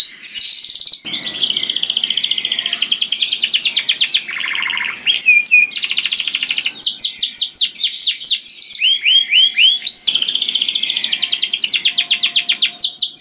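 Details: Loud, sweet canary song for luring other canaries, long varied performance of fast buzzy trills, rolling rattles, short pure whistles and swooping slurred phrases, shifting quickly between sections.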